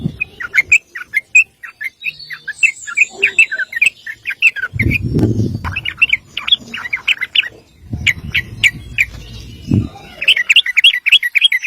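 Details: Sooty-headed bulbul singing the long 'ropel' roll used to train other birds: bursts of bright chirping notes in quick runs, broken twice by low thumping noises, ending in a fast regular series.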